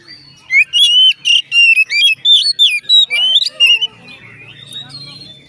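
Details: Oriental magpie-robin, played to make other magpie-robins sing along: a rapid run of loud whistled and buzzy notes, about three per second, rising and falling, then fading to a faint quiet stretch.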